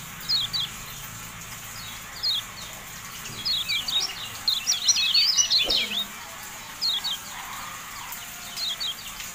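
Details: Javan white-eye in a masteran recording: short clusters of high, thin chirps separated by silent gaps, with a denser, louder twittering passage in the middle. A faint background hiss is heard throughout.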